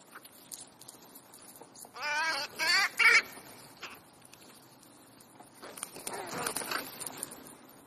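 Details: Crows at an ordinary afternoon gathering in Clara Zetkin Park, Leipzig: three loud, harsh, harmonic calls in quick succession, then a softer, longer burst of calling a few seconds later, over a quiet murmur of park sound.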